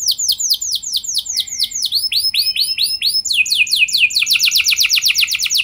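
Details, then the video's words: Canary song used as a prompt to get other canaries singing: strings of clear, downward-sweeping whistled notes, shifting to a faster, brighter rapid trill near the end, with no other sounds. "Pancingan Burung Kenari Biar Ikut Gacor Ngeroll Panjang!"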